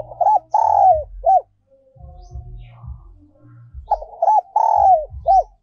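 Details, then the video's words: Spotted dove decoy song in the 'giọng còi' style, also called 'giọng kim', from 2022: two loud phrases of mellow hooked coos ending in a longer drawn-out croon, with soft low thumping between them. "cu gay moi chuan mp3/ Giọng còi chuẩn nhất 2022"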